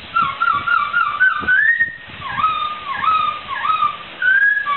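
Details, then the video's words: Laughingthrush song for training cage birds: long clear whistles that rise and fall, with dipping slurred notes and a final rising whistle; faint rustling clicks underneath. "Suara Burung Poksai"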